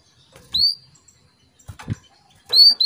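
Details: A hen canary calls the male to bring him into breeding condition, giving two clear, high, rising whistled notes about two seconds apart, with soft rustling and a faint chirp between them.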